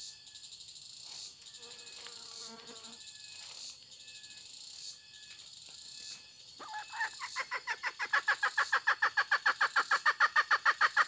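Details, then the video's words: Hen's voice: after several seconds of buzzing, chirping insects, rapid clucks begin and grow louder, repeating quickly and evenly to the end over the continuing insect chorus. "suab poj qaib tsauj seev dib tuaj zoo tshaj 2021"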